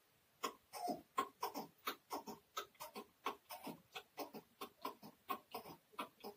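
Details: Chukar partridge (keklik) kept in a cage in Tajikistan, 2020, giving a steady run of dry, clucking chuk notes about one and a half per second, softer and farther off, with faint background hiss.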